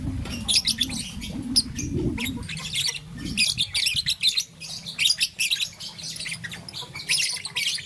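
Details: Young peach-faced lovebird, green and yellow, chirping in the morning: steady high squeaky tweets throughout, with low rumbling noise at the start that fades out.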